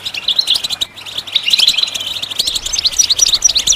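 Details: Goldfinch song to get other birds singing, a short run of rapid buzzy twitters and chirps after a brief gap, ending with thin high whistled notes.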